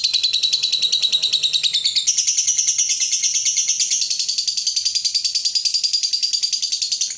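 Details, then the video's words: Long unbroken lovebird ngekek, a dense buzzy chattering trill with rapid pulses that shifts slightly higher after two seconds; used to encourage other lovebirds to sing. "Lovebird ngetik mompa lanjut Ngekek fighter/pancingan lovebird fighter"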